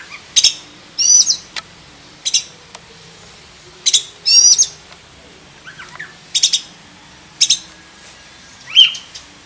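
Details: Caged black-breasted oriental magpie-robin with a full, varied song used as a tutor. Sharp loud buzzy bursts are spaced irregularly about once a second, interspersed with brief slurred whistles and a clear high note near the end.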